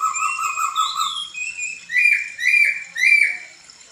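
A laughingthrush sings a run of clear whistled notes, some rising and falling, then three loud slurred phrases about half a second apart.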